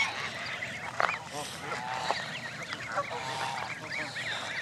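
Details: Canada geese gathered with goslings at Jess Ranch Lakes Park on May 23, 2014, when 29 of 32 families were present: a dense, fairly quiet chorus of short rising peeps and a few brief honks overlapping throughout.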